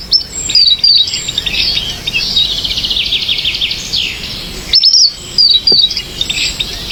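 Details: Natural bird sounds: bright high chirps and fast twittering trills, with quick tweets in short bursts and a longer rippling run in the middle, over faint background noise.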